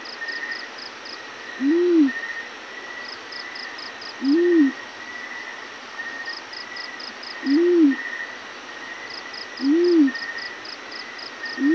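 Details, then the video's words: Yellow-breasted fruit dove morning calling: five low, mellow hoots, each briefly rising and falling, spaced about two to three seconds apart, alternating with bursts of quick high ticking and a continuous thin whine. "yellow breasted fruit dove morning call"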